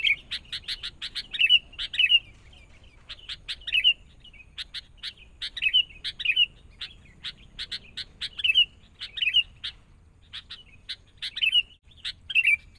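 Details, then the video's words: Sooty-headed bulbul taken from the forest, trained with a lure bird: short bursts of sharp chirps, each phrase closing on a slurred whistle, repeated roughly every second and a half. "Proses.. Melatih Kutilang Mudah Hutan.."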